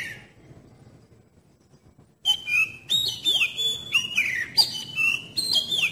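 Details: Oriental magpie-robin singing a lure song for prompting young birds: after a near-silent start, a loud run of rapid, varied whistles, level tones dropping into downward slurs, repeated several times a second.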